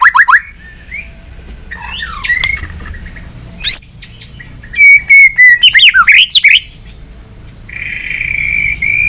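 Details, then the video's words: White-rumped shama, tail flicking, in continuous competitive song: varied whistled snippets, a rapid stuttering trill, then a drawn-out steady whistle fading against light background hiss. "chòe Lửa đập đuôi hót đấu liên tục nhiều giọng"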